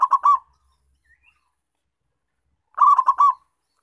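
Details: A lively local zebra dove, recorded as a lure for wild zebra doves, utters two rolling coos of rapid stuttering notes, separated by nearly three seconds of quiet.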